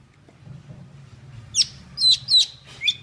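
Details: Four sharp, downslurred whistles from a Vietnamese golden-fronted leafbird, singing to lure birds for trapping, come after a quiet stretch with a low hum.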